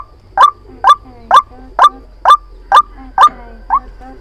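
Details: Trapping lure recording of a white-breasted waterhen: a steady series of eight strong, croaking notes about two per second, each a quick upward-bending squawk, with the final note slightly softer.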